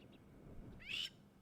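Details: A Crowned Lapwing on a July safari drive, upset by nearby people, gives its distress call that makes its cryptic chicks hide: one loud, harsh, high scolding note after a couple of faint high chips, over low outdoor rumble.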